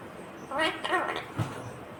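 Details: Ringneck green parrot saying "mummy papa": a brief pair of harmonic, wavering mimicked syllables followed by a low thump indoors.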